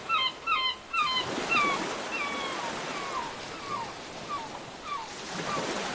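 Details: Seagull calling over ocean waves: repeated short nasal downslurred cries in pairs and threes, then more spaced single yelps, over a steady wash of surf.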